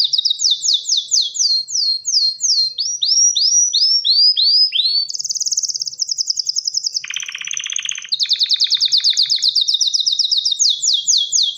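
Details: ['Breeding-ready male canary singing to attract a female for mating: a string of clear falling whistles, then arched rising-falling notes, quick high trills, a dry buzzy rattle, and more rapid trilling.']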